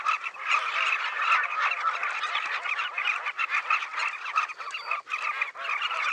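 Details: Southern carmine bee-eaters in a large breeding colony along the Luangwa River; a steady, seething chorus of overlapping trilled calls from many birds, no other sounds clear.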